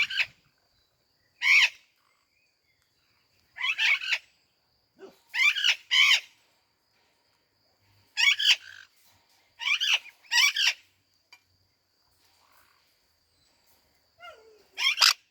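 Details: Sun conure eating a cherry gives loud, harsh screeches in short bursts, often in quick pairs, with pauses between.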